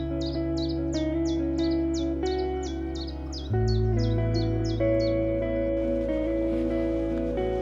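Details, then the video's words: A very vocal, loud common chiffchaff in dense trees at Lunt Meadows Nature Reserve on a sunny late-March spring morning around 10 °C, singing a run of high, downslurred notes at about two per second over background music. "There's a really vocal chiff chaff behind me in these trees. In fact, I could hear it all the way down the drive."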